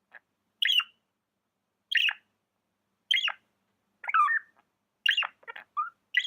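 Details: Budgerigar giving single sharp downward chirps about once a second, evenly spaced, then a quicker cluster of squeaky notes near the end, in a quiet setting.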